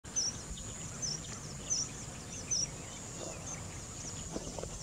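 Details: Four thin, high chirps from a male Red Avadavat come at uneven intervals of under a second, over a steady high insect-like whine and low rumbling background noise.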